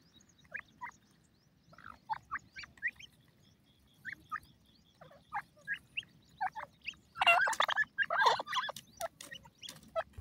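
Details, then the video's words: Francolin chicks (black francolin, gadray teetar babies) calling: thin, high peeping notes scattered about once a second, then a brief louder flurry of overlapping, harsher cheeps. "gadray teetar k bachay,pheasant bird babies ke calling"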